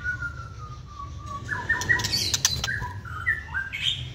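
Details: Caged White-rumped shama, wild-caught, second season: a long gliding whistle followed by a jumble of short whistled notes and sharp high clicks, over a steady low background hum.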